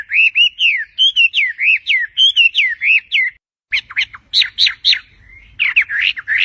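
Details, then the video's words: Melodious songbird pouring out a lively run of clear whistled notes that slide up and down, quick bursts of several notes per second, then a short pause before sharper, more varied phrases resume; no other sounds stand out. "Suara burung sangat merdu sekali"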